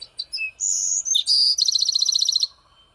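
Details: Bewick's wren, perched in the open, sings after calling: a few high, thin opening notes and a buzzy phrase, then a fast, bright trill lasting about a second; mourning doves in background.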